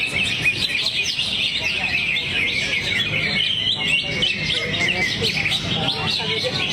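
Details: Greater green leafbird in Indonesia's songbird hobby, singing out its repertoire while in a drooped-wing display posture: a rapid, busy stream of bright chirps and twittering trills in a high band, over a low murmur of background noise.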